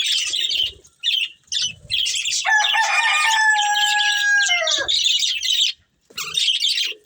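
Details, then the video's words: Budgerigars of a breeding pair keep up busy raspy chatter while a rooster crows loudly for about two seconds in the middle, then the chirping carries on. "Cute Budgies Chirping Sounds"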